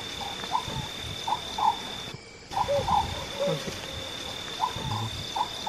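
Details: Oriental scops owl (Otus sunia) of India's Himalayas, Northeast, west and south, giving short, croaky, toad-like notes in phrases of three or four, repeating every second or two over a steady high insect drone.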